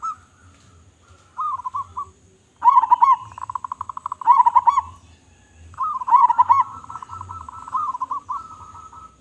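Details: Big-voiced local zebra dove in active song: short soft phrases lead into loud, pulsing cooing bursts, each a rapid string of beats finishing in a rolled note, followed by a long wavering trill.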